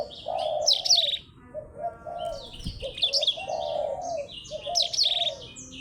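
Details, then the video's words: Blackthroat versus Java sparrow: clustered bursts of shrill, buzzy high trills about every two seconds, layered over a continuous low, mellow warbling. "BLACKTHROAT VS BURUNG GLATIK BELONG"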